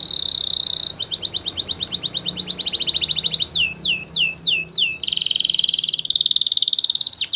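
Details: Spanish Timbrado canary training song, a varied sequence of tours: a buzzy sustained roll, a string of crisp repeated clicks, bold looping downward swoops, then a loud rattling trill, with steady background hiss.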